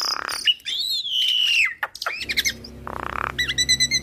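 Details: Javan myna singing vigorously with mimicked fill-ins, used to train other mynas: buzzy notes leading into a long slightly falling whistle, a harsh buzzy burst, then quick stuttering chips.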